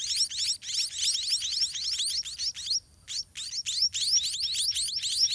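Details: Begging chorus of white-rumped munia chicks in their nest in a garden, fed by both parents: shrill upward-sweeping chirps packed together, pausing briefly midway before resuming at full intensity.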